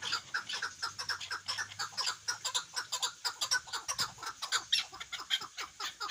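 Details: Loud chukar partridge call: a brisk series of harsh chuk notes at roughly two per second, evenly spaced throughout, with a faint low hum underneath.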